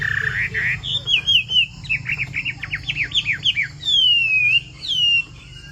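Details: Chinese hwamei singing bộ tam hoàng style: rich whistles lead into a quick run of looping, tumbling notes, then two long, clear whistles that slide downward.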